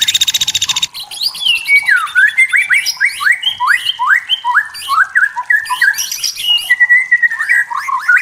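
A white-rumped shama opens with a harsh, buzzy rattle, then pours out a quick string of rich, clear whistles that swoop up and down in varied phrases.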